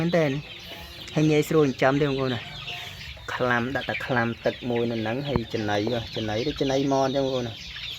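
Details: A hand-raised captive waterhen kept as a decoy bird calls at its owner's hand without fear. Loud, rich, croaking notes come in rapid runs of four to six, and a short gap follows each run.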